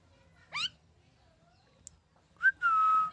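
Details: Happy rescued ringneck parakeet: a squawky upward sweep, a faint tick, then a quick rising note leading into a long steady whistle that slowly falls.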